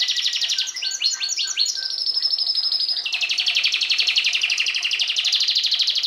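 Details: Canary singing a dense, loud rolling trill with a few swept notes near the start, the trill running almost unbroken to the end.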